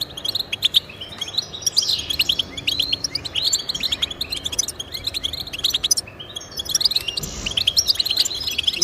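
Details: European goldfinch chattering song played to encourage pet goldfinches, with quick repeated chirps and tinkling trills in near-continuous phrases and a short break near the end.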